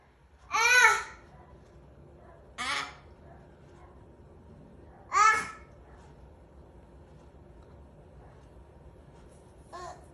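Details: A 12-year-old male Umbrella Cockatoo gives harsh, babbling calls in short bursts a few seconds apart, mixed with a baby's babbling voice, as if the two talk in their own language; the room is otherwise quiet.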